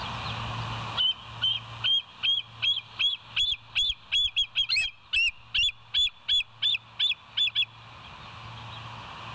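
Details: Wild bald eagles at the West End nest, live nest camera, recorded 27 September 2023 at 07:02; a rapid series of high, thin whistled notes, about sixteen in quick succession, some with chirping inflections, over steady low hum and background noise.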